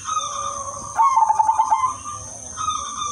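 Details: Lively udanmas silver zebra dove singing a melodious, rhythmic song that lures other zebra doves: level whistled tones framing a quick burst of stuttering coos in the middle, against a steady high hiss.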